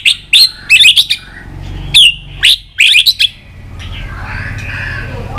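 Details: White-rumped shama goaded into a fighting song with tail snapping: bright, loud, high whistled phrases in short clusters, mixed with crisp broadband clicks, then a softer trailing warble with faint low rumble behind.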